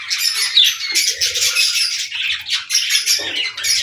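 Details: A group of budgerigars sings in a loud, overlapping chatter of chirps and grating notes that swells and dips in short bursts.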